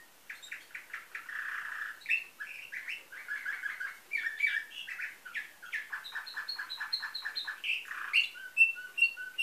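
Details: Nightingale-type song of a canary from a Varna, Bulgaria breeder, 2013: dense rapid clicking trills and a rolling low warble, moving into clear repeated piping notes and bright whistles.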